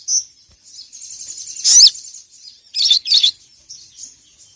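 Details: Sogon or little spiderhunter calling to challenge a rival, used as training audio for cagebirds: sharp high chirps, a loud sweeping squeal, then two quick harsh bursts and faint twitters.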